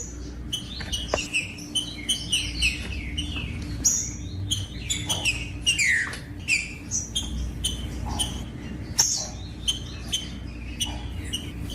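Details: Rufous-bellied thrush in captivity sings a long varied run of whistled notes and slurred downward phrases, some sharp and high, broken by brief pauses; steady low hum underneath. Played to warm up other caged thrushes.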